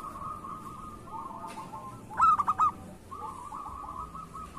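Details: Zebra dove, local type, kept as a lure singer: a single crisp run of four quick cooing notes rises out of a soft, continuous series of quieter repeated notes.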